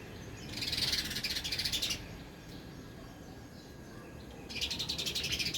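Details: Sparrows at a feeder made from waste plastic on an apartment balcony, eating and drinking; rapid high chirps in two dense bursts with a quiet gap between, over low background hum.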